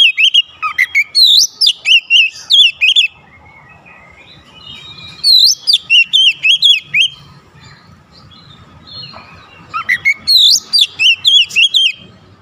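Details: Oriental magpie-robin in a challenge bout with a rival: three loud bursts of quick, swooping whistled notes, each lasting about three seconds, separated by quiet pauses with faint hum.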